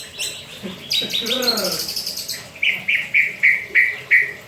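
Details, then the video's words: Caged white-rumped shama (murai batu) still calling while it bathes: after a mixed burst of harsh chatter and a low voice, a row of six short, clear notes repeats evenly about every third of a second. "MURAI BATU MANDI KERAMBA TETAP BUNYI"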